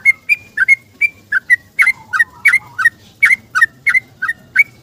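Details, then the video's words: Energetic morning song of a yellow-vented bulbul looking for a companion, intended to lure silent bulbuls: short bright whistled chirps repeated about three per second, alternating higher and lower tones, with faint low background hum. "Trucukan Gacor ROPEL panjang - mencari kawan bunyi pagi hari"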